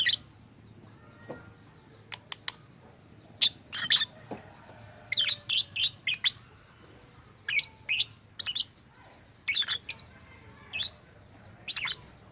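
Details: Pet lovebird said to mimic human voices and make odd sounds delivers irregular volleys of short, high, sharp chirps. Some come in quick triplets, others stand alone, with brief quiet gaps throughout.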